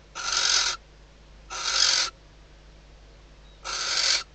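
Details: Female barn owl calling from inside a nest box in the Ebro Delta, Spain, at night, reacting to the male at the perch just days before hatching. Three long, rough, breathy hisses separated by pauses of about one to one and a half seconds.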